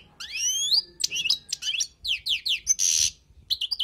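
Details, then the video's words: Wild goldfinch song for tutoring, with a long rising whistled slur, then a rapid series of downslurred chirps, a harsh buzzy rasp and a final liquid twitter. "تغريد حسون خلوي للتعليم"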